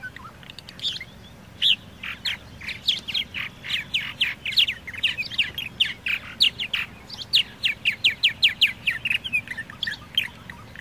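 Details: Purple martin calling: a busy run of short chirps and harsh chattering notes, repeated in quick bursts, with a steady stream of overlapping twitters in the final seconds.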